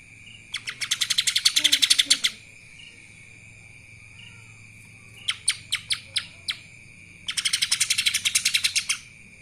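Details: Lesser green leafbird in kapas tembak style: three bursts of fast, piercing chatter, a long even run, a looser series of separate chips, then another dense run, over a constant high tone.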